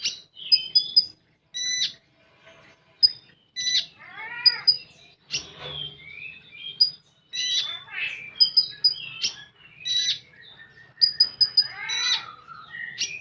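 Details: Common iora pouring out full tembakan song: repeated runs of piercing high whistles, harsh bursts and downward-sweeping warbled trills, a busy, nearly unbroken medley.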